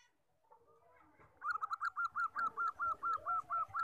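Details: Common zebra dove with fourteen tail feathers, a song for luring and tutoring birds: after a soft, low preamble, a rapid, even string of about fourteen rounded cooing notes on a steady pitch, with faint background noise.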